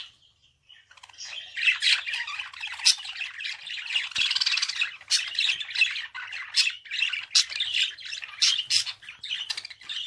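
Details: Budgerigar giving a long, unbroken warble of rapid scratchy notes, clicks and sharp squeaks, growing busier after a quiet opening second and carrying on without pause.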